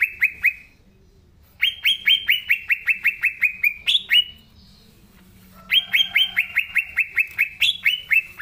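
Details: Energetic Green leafbird song: a few chirps, a pause, then long fast series of bright downslurred notes with higher accent notes inserted, ending after a silent gap in another rapid run.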